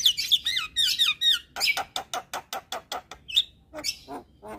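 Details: Javan myna singing continuously: a few wavering whistled slurs, then a rapid, evenly spaced series of about ten harsh, squeaky notes, ending in scattered chirps.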